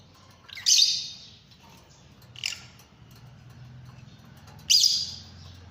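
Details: Fischer's lovebird calling with three separate piercing, high-pitched screeches, each a brief harsh burst fading out, spaced by quiet pauses with faint low hum behind.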